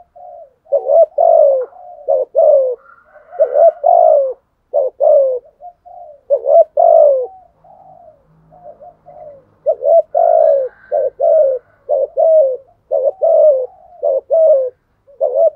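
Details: A decoy spotted dove coos steadily to draw out rival doves, repeating low husky phrases of short notes and falling coos many times over, with soft murmurs between bouts.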